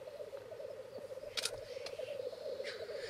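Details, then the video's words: Male black grouse courting and fighting at a lek arena to win females, filmed with Sony and Canon EOS 7D cameras: a continuous low, bubbling, rolling coo runs throughout, broken by sharp hissing sneezes near the middle and end. "corteggiamenti accoppiamento dei galli forcelli in arena"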